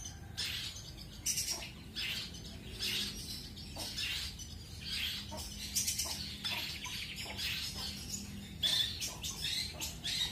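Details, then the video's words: Pastol long-tailed shrike delivering song material with rapid rolled phrases: quick clusters of scratchy, high chirps and squeaky notes in irregular runs, pausing briefly between bursts, with faint low rumble underneath. "CENDET PASTOL MATERI ROLL SPEED DAN ROLL TEMBAK"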